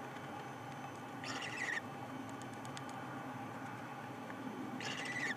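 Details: Owlet hanging in a nest box doorway at 12:50 pm on 1 April 2020, calling after spotting something: two harsh, hissing screech bursts about half a second long, separated by several seconds, over steady background hum.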